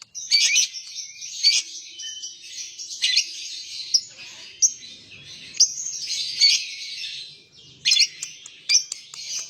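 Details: Continuous harsh, high chattering from a lovebird, punctuated by sharp clicking notes and short squeaky phrases.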